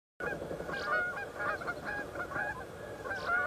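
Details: Canada geese fighting on water as three other geese and two loons come to separate them; dense overlapping nasal honks and harsh squawks, several birds calling at once in rapid irregular bursts.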